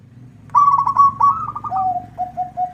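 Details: Local zebra dove singing vigorously, prompting a rival to answer: a rapid rolling trill near one pitch, then a slightly lower held note and three short clipped coos on an even lower tone, over a faint low hum.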